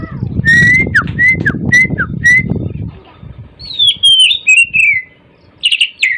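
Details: Morning song of an oriental magpie-robin: a series of short, clear, repeated whistles and downslurs, then sweeping whistled phrases and chattering notes. Low rumbling noise fills the first half.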